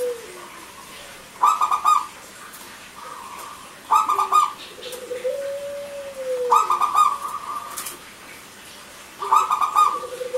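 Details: Frequently singing local zebra doves, male and female, with clear crystal-toned voices, played to lure silent doves: four phrases of short, rapid, bright coos, about every two and a half seconds, and a drawn-out lower arching note between phrases.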